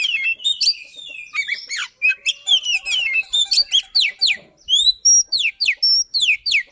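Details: White-rumped shama (kacer) in a fast, dense song with rolling and insistent bursts; loud varied whistles and slurred notes sweeping downward, then clean high whistles and rapid descending notes repeated about once a second.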